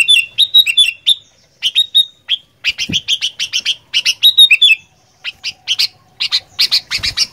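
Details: Sooty-headed bulbul in lively 'gacor fighter' singing style: bright, chirpy bursts of short whistled notes delivered in quick runs of four to eight, separated by brief pauses, with one soft low thump partway through and an otherwise quiet background.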